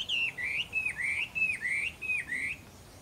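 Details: Taiwan hwamei at Caonanpo on 10 April 2016, singing loud, rich whistled phrases, each sliding up and down, repeated about every half second in a steady run.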